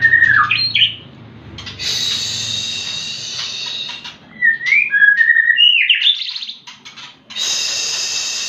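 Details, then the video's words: White-rumped shama song used to provoke other birds to sing: clear, looping whistled slurs that rise and fall, broken up by stretches of loud steady hiss. "Pancingan murai batu 🔥 Naikan emosi burung auto ikut gacor"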